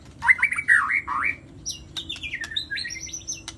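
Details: White-rumped shama in full, vigorous song, opening with loud looping whistled notes, then a higher, faster stretch of rapid twittering phrases, with a faint steady hum behind.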